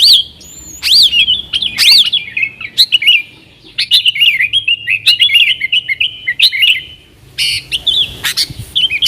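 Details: Yellow-vented bulbul singing 'nggaruda' style as a call lure for wild sooty-headed bulbuls; clear rising whistles open, followed by chattering warbled phrases separated by short pauses and sharp bright accents.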